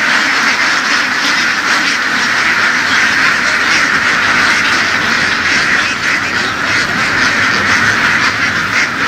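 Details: Field-herded laying ducks in western Vietnam fill the air with constant overlapping quacks, a rough, buzzy flock din that swells and fades slightly but never stops.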